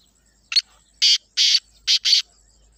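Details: Rasping call of a black francolin in Pakistan: five grating, broadband notes, short then two long, then a short and a long one, delivered in about two seconds, clean background.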